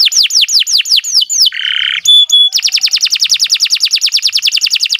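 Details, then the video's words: Canary song meant as a model for other birds: repeated down-slurred whistles, a short grating buzz, two pure tones, then a long fast trill of clipped notes. "Kicau Burung Kenari 183 II LUAR BIASA GACOR PANJANG Cocok untuk Masteran"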